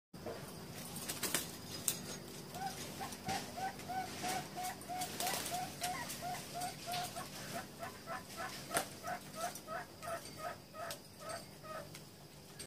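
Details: A 36-day-old zebra dove gives a long run of soft, short cooing notes, about three per second. Several sharp knocks and rustles sound in the background.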